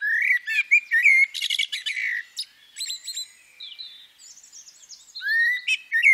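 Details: Female common blackbird giving a varied phrase: low fluted whistles near the start and end, broken by a burst of high, squeaky, scratchy twittering in the middle, with short pauses between notes.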